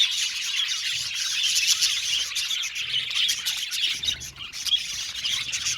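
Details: Aviary flock of Australian budgies chattering together, a thick layer of high twittering and rapid chips that never pauses, with occasional brighter whistled notes standing out.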